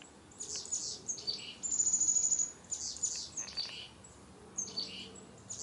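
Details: Chickadees in colorful autumn trees, fall 2021, give clusters of high thin notes and buzzy phrases with a sustained whistled tone in between, several birds calling.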